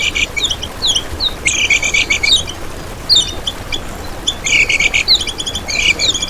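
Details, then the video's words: Lemon-bellied white-eye song used as a lure and as a master for other birds: irregular bursts of quick, high, sharp chirps and short trills, rising and falling notes, with brief gaps between phrases and light background hiss. "Masteran Kecial Kuning Untuk Pancingan n Pikat Sangat Bermanfaat Untuk Burung Kecial Gacoran Ngejos"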